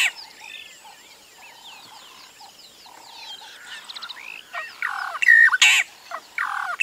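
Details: Burchell's starling in Kruger in summer gives a varied run of whistles, slurred notes and chatters, ending in louder harsh, squawking bursts.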